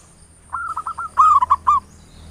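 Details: Local zebra dove, ngayer nulop lure song for rousing other birds to sing: a soft purring trill of rapid coos followed by three louder, ringing hoo notes.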